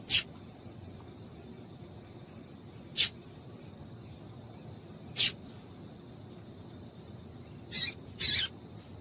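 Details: A female double-collared seedeater calls to a male, producing brief piercing high chips spaced a few seconds apart, ending with a quick doubled pair of notes.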